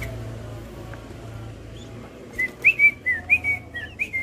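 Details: Cream-vented bulbul singing: after a low humming background, a burst of about eight short, bright whistled notes, some slurred upward, follows in under two seconds.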